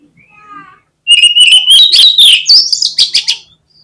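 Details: Oriental magpie-robin (kacer) lure song: after soft faint notes, a loud, fast, rapidly repeated stream of whistled and scratchy notes climbs in pitch for over two seconds.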